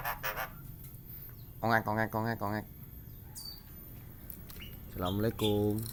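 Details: White-eyed Javan myna imitating human speech: short bursts of hoarse, voice-like syllables with stacked tones, a run of four near 2 seconds and two more near the end, over a steady low hum.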